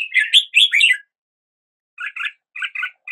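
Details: Brief red-whiskered bulbul phrase of tumbling chirped notes, then after a second of silence a few paired softer chirps.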